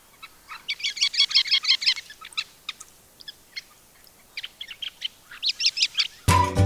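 Sanderling giving rapid bursts of short, sharp, high twick notes in quick clusters, ending with a brief burst of music.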